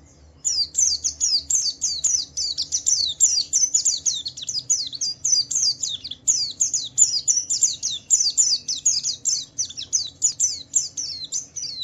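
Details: High, rapid chattering song of a Javan white-eye in Wiklus Wiksar ngalas style, played to draw other white-eyes into singing: clipped descending chips repeated many times a second in a long, nearly continuous stream after a brief quiet start.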